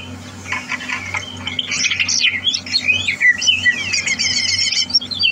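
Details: Greater green leafbird readied for a singing competition, 30 November 2022, pouring out a harsh, jumbled mix of squawky notes, chatter and slurred whistles that grows louder and busier, over a steady low hum.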